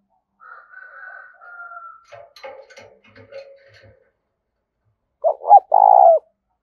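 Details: Spotted dove lure call for attracting wild doves: after a thin whistle and scattered clicks and knocks, a loud coo phrase of two short notes and one long falling note ends the clip.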